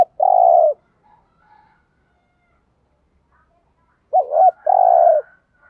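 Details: Lure spotted dove calling to bring wild doves in to fight: a long buzzy coo at the start, a quiet pause, then a wavering double coo and another long coo, with faint higher bird sounds.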